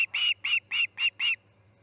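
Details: Short burst from the Charlo osprey nest during a chick's fledging, August 10, 2018, 6:03 am: five evenly spaced, whistled chirps in under two seconds, with a low background hum.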